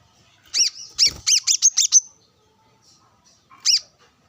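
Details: Sunbathing brown-throated sunbird calling a rival near wild birds. A burst of about six quick, shrill chips, then a long pause and a single final chip.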